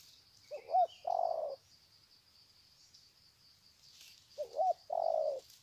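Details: Spotted doves at Sê San on 21 February 2020 greeting each other with long, slow-paced 'chậm đất' cooing; two low cooing phrases, each a short hooked note then a longer steady hollow coo, about four seconds apart, faint high chirps behind.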